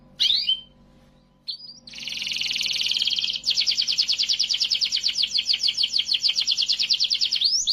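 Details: Canary singing during song training in Indonesia: a few sharp upward chirps, then a long dense buzzy trill followed by a fast rhythmic rolling trill of rapidly repeated high notes.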